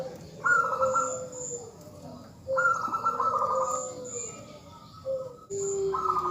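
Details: A female zebra dove calls a male. Strong pulsed, vibrating phrases come about every two seconds, each paired with a lower, softer drawn-out tone. Faint high chirps from other birds sound in the background.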